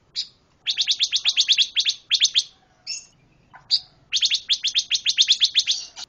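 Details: Lively pancawarna bird song: quick series of harsh, chattering notes, around four per second, broken by a quiet gap holding a couple of thin slurred calls.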